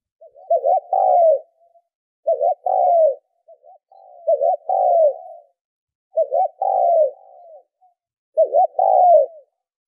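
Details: Spotted dove lure call for stimulating decoy birds: five husky coo phrases spaced about two seconds apart, each opening with short wavering notes and ending in a longer downward coo, against a quiet background.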